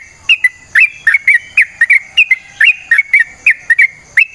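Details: Yellow-vented bulbul song meant to lure other bulbuls into singing: quick liquid whistles, many with sharp upward or downward slurs, repeated in a continuous bubbly run.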